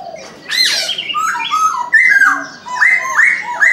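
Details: Chinese francolin calling in the morning: loud harmonic notes that climb and fall, ending in a run of repeated ringing notes, with overlapping chirps from other birds.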